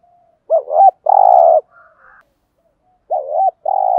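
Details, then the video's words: Spotted dove urging coo used to provoke males. Two phrases appear, each a wavering double note and then a drawn-out burry coo, with a couple of faint soft notes in the pause between them. "tiếng cu gáy thổ đồng thúc gù bài bản/ dùng kích bổi hiệu quả, gây ức chế cho cu gáy bổi rất cao"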